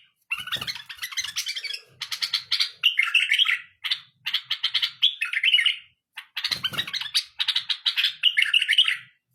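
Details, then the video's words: Tame bulbul in song, pouring out long runs of fast, liquid warbles and chirps with a brief pause midway and faint room knocks. "تغريد بلبل اليف فول | اجمل تغريد بالابل"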